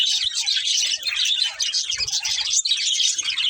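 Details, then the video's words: Several budgerigars produce a rapid, scratchy high-pitched warble of chirps and squeaks, continuous with a short dip partway through. "Cute Budgies Chirping Sounds"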